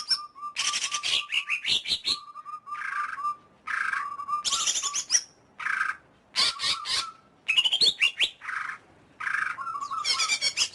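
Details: Rich, varied greater green leafbird song: steady mid-pitched whistled notes alternating with harsh scratchy bursts, buzzy rattles and high sweeping notes, delivered almost continuously for about ten seconds.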